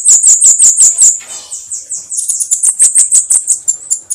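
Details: Bananaquit (sibite, cambacica, caga-sebo, mariquita) giving a 'canto de foguear' song: rapid, very high sibilant notes repeated about three per second, a brief pause, then a slightly higher, buzzier run of notes.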